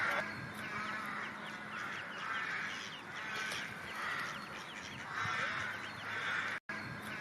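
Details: Ducks and ducklings in a busy chorus of harsh, overlapping calls swelling and fading in waves, with many short high peeps sliding above, as heard in recordings used to call ducks.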